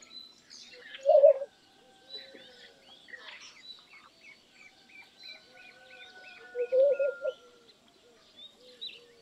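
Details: Two brief, loud, low bubbling phrases from a laughing dove, about six seconds apart, against a busy background of other birds repeating small high notes in a steady series.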